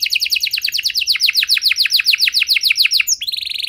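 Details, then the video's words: Canary singing a special cengkok song for stimulating other canaries: a steady run of rapid downward-slurred notes, ending in a sustained whistled tone. "Kenari Gacor Durasi Panjang Cengkok Istimewa! Efektif Buat Memancing Kenari Macet Biar Gacor Kembali"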